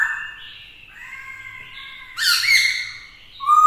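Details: Black-throated laughingthrush (Pterorhinus chinensis), with a female used to provoke the male, sings to challenge rival males: sliding whistled phrases breaking into a loud, harsh chattering burst, ending on a clear rising whistle.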